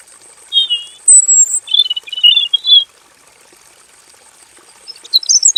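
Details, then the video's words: Male robin singing in a simple aviary, a long rolling full song: thin high whistled phrases, some sliding down, in bursts separated by short pauses, with a steady faint high-pitched hiss in the background. "KICAU BURUNG ROBIN JANTAN GACOR NGEROL PANJANG FULL ISIAN DI KANDANG AVIARY SEDERHANA"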